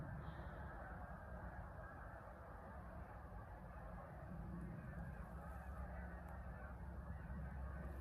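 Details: Huge flock of Canada geese heard in the distance from a field-edge trail by a small town, possibly settled in a field, a dense, continuous clamor of overlapping nasal honks under low rumbling noise.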